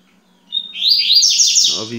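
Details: Yellow-bellied seedeater (coleiro baiano) singing a fast, sweeping series of high buzzy notes that climb then fall in quick repeated strokes, ending with a lower rough rattle; faint steady background hum.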